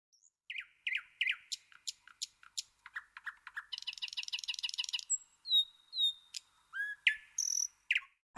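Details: Common nightingale song played to children in a bird-guessing game at a kindergarten in Vinnytsia, Ukraine, 7 April 2023; varied phrases of repeated sharp chirps, a rapid rattling trill, then pure sliding whistles and high notes.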